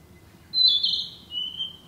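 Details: Single song phrase of a Narcissus flycatcher in woodland, summer breeding visitor: a high whistle swelling into a rich warble, then dropping to a steadier lower whistled tail.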